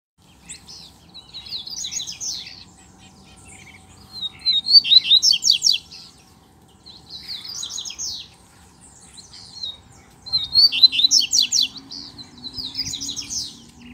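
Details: Caged male double-collared seedeaters singing and competing with a loose male in the bush: bursts of fast, buzzy, trilled phrases with sharp whistled notes, repeated about every three seconds with short pauses between, a quiet low hum underneath.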